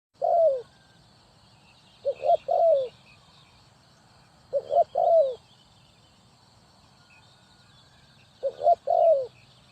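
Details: Spotted dove calling in Ninh Thuận, Vietnam, used as a trapping decoy: four low cooing phrases, each two short notes followed by a longer falling coo, spaced about two to three seconds apart, with faint high chirps and a low hum behind.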